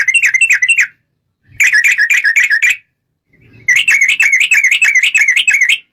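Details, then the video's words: Sooty-headed bulbul song played as a lure to set other bulbuls singing: three bursts of rapid, warbling, bubbly chirps, each lasting one to two seconds, separated by short silences. "PANCINGAN TRUCUKAN GACOR,BIKIN SUARA PIKAT BURUNG TRUCUKAN KAMU,SEKETIKA RAJIN BUNYI BUKA PARUH..!!!"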